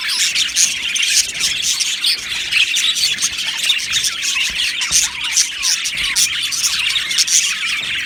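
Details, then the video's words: Many budgies chirping and singing together in a colony aviary. Continuous bright twitter with small downward-sliding chirps and rapid scratchy notes from overlapping birds. "Beautiful Budgies Singing and Chirping Sounds"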